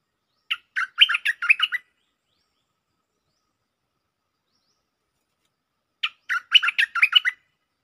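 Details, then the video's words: A bulbul, a merbah lekir used for lure calling, sings two short bubbly phrases of about six quick, liquid chirping notes each, about four seconds apart, with silence in between. "Suara pikat merbah lekir gacor"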